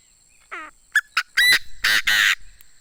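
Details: Crowing of a decoy Chinese francolin: a nasal opening note, two quick sharp pips, then a run of loud rasping syllables closing the phrase, with little background noise.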